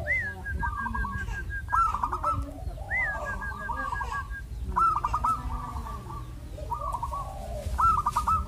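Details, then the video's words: Zebra dove song used to encourage other doves to sing: repeated phrases of a rising note followed by rapid stuttering coos, roughly every two seconds, over low rumbling background noise. "MASTERAN BURUNG ANGGUNAN || BIKIN PERKUTUT JADI RAJIN MANGGUNG"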